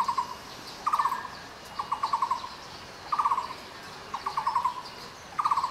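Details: Taiwan barbet, a bird endemic to Taiwan that lives in woods from lowland to mid altitudes. It gives short bursts of rapid, low, hollow pulsed notes, about five or six per burst, repeated roughly once a second, over a faint high background hiss.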